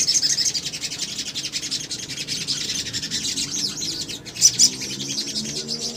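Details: A male little spiderhunter calls to draw other birds into answering, producing a steady, dense stream of high, thin twittering notes with a couple of sharper chirps late on.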